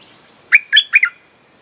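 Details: Singing bulbul, a recording played as a lure for wild birds: three loud, liquid chirps, the last one doubled, jumping between higher and lower pitches and joined by short whistled glides.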